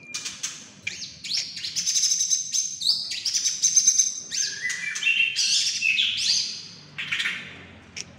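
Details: White-rumped shama (murai batu) from Indonesia, a prospect bird for song contests on the hanging pole, singing a rich, varied run of high whistled phrases, sweeping slurs and sharp chips with hardly a pause.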